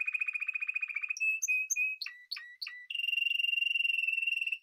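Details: Spanish timbrado canary singing a clean, rapid pulsed roll that holds steady, then a few bright clipped and sharply falling notes, ending in a long, even, metallic trill. No other sounds.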